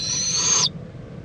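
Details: Owl in Indiantown, Florida, February 26, 2014, near midday while a mother visits and preens her owlet; a single hissing screech with a faint whistled edge, ending abruptly after about two-thirds of a second.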